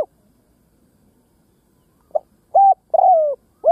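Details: Ground decoy spotted dove calling to draw in wild doves; one phrase opens with a faint short note, followed by a firm level coo and a long, gently falling coo, ending as another coo begins; otherwise quiet.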